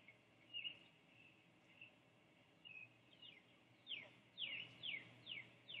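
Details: Great blue heron chicks on the nest at Sapsucker Woods, Ithaca, NY, 21 May 2013, just after being fed by both parents, give thin, high chirps, first drawn-out, then quick downward-sliding notes about twice a second, over a low steady hum.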